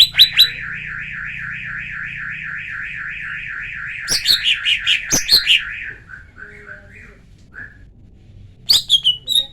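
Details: Female lesser green leafbird call, used as a lure to provoke males into singing: a long, evenly wavering trill held for about four seconds, then a burst of sharp, rising chattering notes, a few softer chirps, and a final quick flurry.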